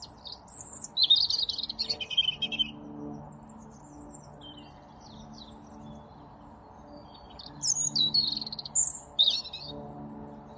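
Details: A European robin in a bare tree behind a hedge in Altonaer Volkspark, Hamburg, in March sings two bursts of high, thin, tumbling, liquid warbling phrases with sharp trills, separated by a quiet pause, over a low hum.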